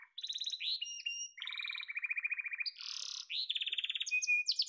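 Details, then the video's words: Yellow canary trilling through quick changes of pitch, with rattling mid-range rolls, a short burst of harsh buzz, a high fast roll and a thin whistled note near the end. "Muhteşem Kanarya Sesi: Sarı Kanarya'nın Efsanevi Ötüşü"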